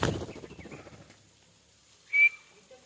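A female grey francolin gives one short, clear whistled note at a steady high pitch. Some rustling and low noise come just before it.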